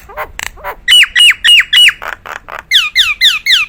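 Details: Caged Nias hill myna singing a prized song: loud repeated whistles sliding down from high to mid pitch, about three per second, after a few lower harsh notes.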